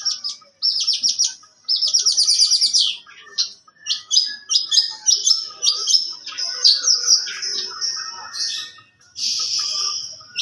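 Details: Young long-tailed shrike, kept songbird, singing a rich varied song: fast buzzy trills, chattering rattles and sharp whistled notes mixed in quick succession, with brief pauses between phrases.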